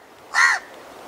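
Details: A single hoarse, nasal caw from a House crow, brief and clear against a quiet background.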